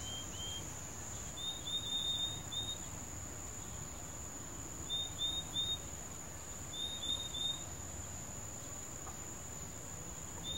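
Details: Purple-throated Euphonia singing in the wild, giving high, clear little whistled notes in quick bursts every few seconds, over a steady, thin insect drone.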